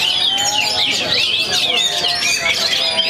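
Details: Oriental magpie-robin, a young bird from Perbaungan after moulting, delivering a fast stream of bright whistled notes and sliding sweeps, one phrase running into the next, over a steady chorus of other birds and low background chatter.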